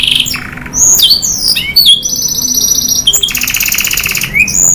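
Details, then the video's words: Canary delivering long, forceful song phrases with fill notes: quick chirps, upward slurred whistles, then extended buzzy rolling trills at high pitch, loud and continuous in a quiet setting. "SUARA KENARI GACOR NEMBAK PANJANG ISIAN | CANARY SINGING"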